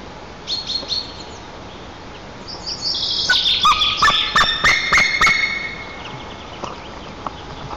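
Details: Alarmed wild male White-tailed eagle calling from the nest area in Nizhnyaya Kama National Park, Tatarstan, on 10 April 2024, flying off toward the river: a burst of rapid, harsh yelping notes building then fading, with a steady background hum.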